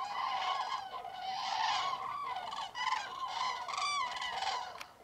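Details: Common cranes calling in a dense chorus at a roost in Spain's Tablas de Daimiel wetland, frosty fog at daybreak in mid-January. Loud, rolling trumpeted notes overlap continuously, swelling and fading, with one sharp click near the end.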